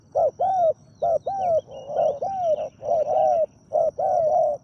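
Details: Decoy spotted dove calling to draw in a wild bird: low, rounded coos running together in quick doubled and drawn-out phrases, some overlapping, with faint thin chirps of other birds higher up.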